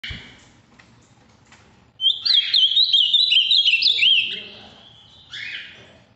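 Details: Ultramarine grosbeak, a large, deep-blue male from the Minas Gerais region, singing a firm song: a loud burst of rapid warbled whistled notes lasting about two seconds, then a shorter fainter phrase.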